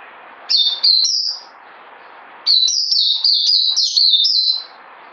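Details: Caged white-eye singing: a short high twitter followed after a pause by a longer run of sweet, tumbling, rapidly repeated notes.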